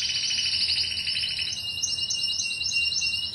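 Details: Timbrado canary from Greece, recorded in 2009, singing a sustained, rolling metallic trill high in pitch, with a lower parallel band that fades after about one and a half seconds while the upper trill carries on evenly.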